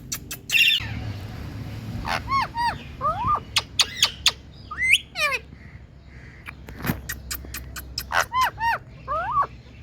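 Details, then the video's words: Pet Indian talking parrot with scattered harmonic squawks and short curved whistles, several sharp clicks between them, and a low room hum throughout. "Indian Talking Parrots"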